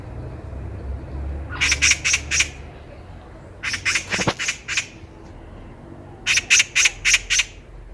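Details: Loud Eurasian magpie met on a walk in Korea, chattering in three separate bursts of about five rapid, grating notes each, with quiet gaps between. Low rumble underneath.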